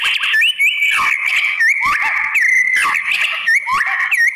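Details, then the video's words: White-rumped shama song meant to provoke other shamas into answering: rich, varied whistled phrases with rising slurs and sweeps, notes repeated in quick bursts, loud and continuous with brief gaps. "MURAI BATU APAPUN Jadi NYAUT NGELAWAN dan BONGKAR ISIAN ¦ PANCINGAN MURAI"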